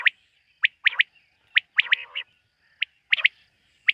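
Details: Common quail at night giving short, sharp notes, singly and in quick pairs, with one lower buzzing rasp in the middle and brief silences between phrases.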